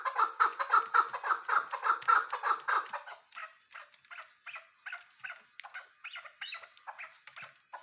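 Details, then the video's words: Hunting-call recording of a chukar partridge: loud rhythmic clucking notes for about three seconds, then fainter, scattered, more broken notes trailing off to the end. "porna chakor k bacha ki yad ko taza krta hia full shikari awaz video keklik sesi"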